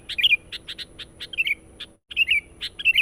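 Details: Lure recording of a sooty-headed bulbul singing hard and nonstop to draw in wild birds. Quick gurgling whistled phrases alternate with dense bursts of short high chips, broken by a brief silent gap.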